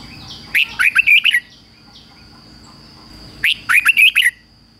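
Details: Decoy red-whiskered bulbul calling wild birds in to fight: two matching phrases about three seconds apart, each a fast run of five or six bright warbled whistles rising and falling, over a constant thin high whine.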